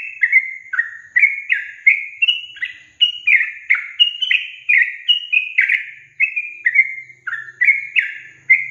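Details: Sooty-headed bulbul song played to make reluctant young caged birds sing: clear, bubbly sequence of quick down-slurred whistles in varied pitch, delivered about twice per second without pause.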